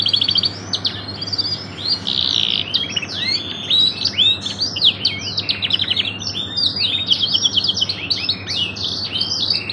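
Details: Canary singing a long, ornate 'cengkok mewah' style song used as a master recording: continuous rapid high trills, rolling chirps and quick whistled sweeps running unbroken throughout, with a faint low hum beneath.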